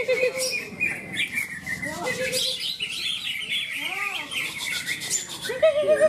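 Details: A greater green leafbird at a songbird competition in Malinau, North Kalimantan, where it was named best, pours out a fast, varied stream of clear whistles, slurred notes and chirps, with other birds and human voices behind.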